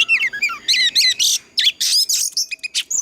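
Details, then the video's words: Mature wild-voiced Oriental magpie-robin singing fast as a lure to train captive birds and spur them into song: rapid bursts of sharp whistles and buzzy high notes tumble together with barely any gaps. "Tiếng choè than già rừng kích hót cực căng"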